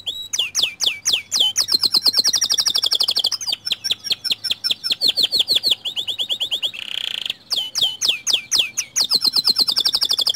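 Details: White canary song intended to start other canaries singing. It is a long, energetic run of high chirps and fast rattling trills, with a brief harsh buzzy burst and a short pause before the lively phrases return.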